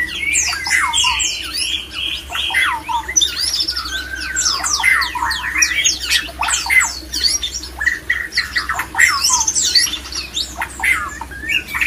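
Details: Male white-rumped shama giving a mating song meant to stir other shamas into breeding condition: dense, varied run of rapid whistles, sharp downslurred notes and rising sweeps, continuous and loud, with a faint steady low hum beneath.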